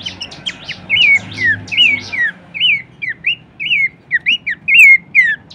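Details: Horsfield's babbler song used as a training recording for songbirds: loud, clear whistled notes, each a short rising-then-falling slur, delivered in quick succession, with a low background hum.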